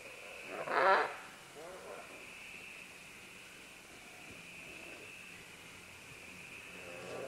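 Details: Several green-winged macaws calling as they descend along vines: one loud, harsh squawk near the start, then softer rasping calls over a steady high insect-like hum.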